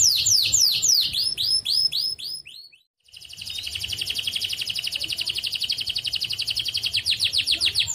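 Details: Canary song meant to encourage silent canaries to sing: fast runs of sweeping high notes, then a brief pause, then a long, steady buzzy trill that breaks into rapid repeated chips.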